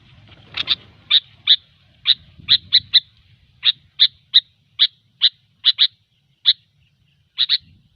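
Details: Sooty-headed bulbul, gecor song for luring: a long series of sharp, evenly spaced doubled chirps, about two per second, with faint low rumble at the start.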